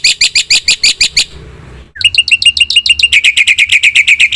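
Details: Black-winged myna singing energetically: a burst of loud, harsh repeated notes, a brief gap with faint background noise, then a quickening series of shrill chipping notes.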